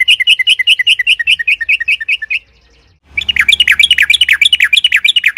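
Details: A rapid yellow-vented bulbul rolling song, meant to provoke other bulbuls to sing. It opens with a steady fast series of repeated chirps, goes quiet briefly, then breaks into a denser, more excited jumble of notes.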